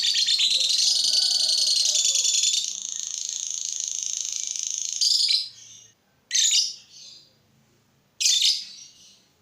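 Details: Lovebird singing to provoke other lovebirds into song: a dense, rapid chattering trill lasting about five seconds, then fading, followed by two short, sharp, high squeaky chirps separated by silence.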